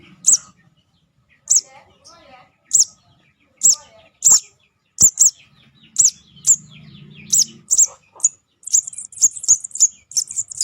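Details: Lure call of a young sogon: high, piercing chirps repeated about every second, crowding into rapid clusters near the end, over faint low background noise.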